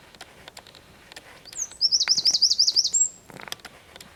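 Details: Wren song from Zamudio, 4 December 2019: scattered soft ticks, then an intense very high trill of around a dozen rapid notes capped by a level whistled note.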